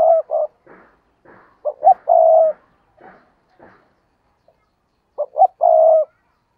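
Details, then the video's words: Tree-perched decoy spotted dove giving its coo to draw in wild doves; repeated low croon phrases, two quick notes before a drawn-out hum, with faint tapping sounds between the phrases. "Chim Cu Mồi Cây Thúc Gù Và Gáy Gọi/ Cu gáy kích bổi nhanh nổi gù"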